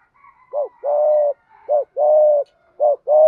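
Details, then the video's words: Spotted dove of the Malaysian type, cooing in the 'thúc gù' style: a short rising-falling note followed by a longer steady mellow coo, the pair repeated three times over about three seconds. "Tiếng chim cu gáy thúc gù, cu gáy malaisia gù thúc bài bản, chim cu gáy thúc gù bài bản"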